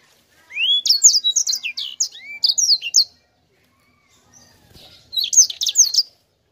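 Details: Two phrases of sanger song: a three-second run of quick, high whistled notes and rising sweeps, a gap of about two seconds, then a shorter dense burst.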